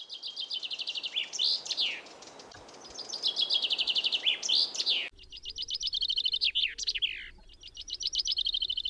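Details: Common chaffinch singing: bright, rapid trilled phrases that run down the scale and end in a sharp, emphatic flourish. Phrases repeat back to back, with a sudden cut to a quieter, cleaner background about halfway through.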